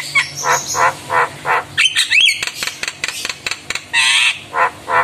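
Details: Javan myna, a lively singer, reacting to calling mynas: harsh squawking notes repeated about three per second, with a burst of whistles, rattles and clicks midway, then more squawks.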